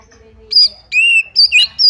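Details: Short Oriental magpie-robin song used to make another bird fight: a high whistle, a long level whistled note, then quick bright upward chirps.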